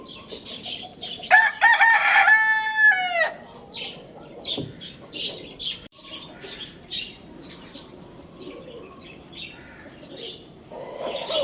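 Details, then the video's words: At Lalukhet bird market a Lohmann Brown rooster gives one loud crow lasting nearly two seconds, harmonic and level, before fading; the remainder is soft, scattered twittering and chirps from small caged birds. "Rooster Crowing Sound Effect"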